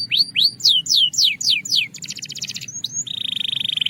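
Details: Belgian canary singing: a run of loud descending whistled sweeps, then a fast buzzy trill, a brief whistle, and a steady rapid rattling roll on one pitch.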